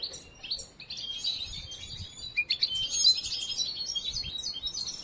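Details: European goldfinch, a young bird still being trained, sings a lively, high twittering of chirps, short slides and buzzy fragments, with a slightly louder burst around the middle.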